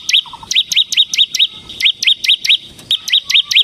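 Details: Energetic ngebren song of a semi-type bar-winged prinia, played to train other prinias: a brisk chain of short, hooked, rising high notes at a steady pace, with faint lower tones in between.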